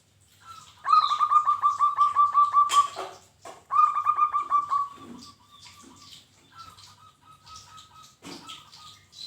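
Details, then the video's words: Local zebra dove (perkutut) song used for training: a loud run of about ten rapid, ringing coo notes, a click, a second shorter run, then softer trailing notes among faint chirps from other birds. "Masteran wajib untuk burung perkutut lokal bahan Supaya gayeerr"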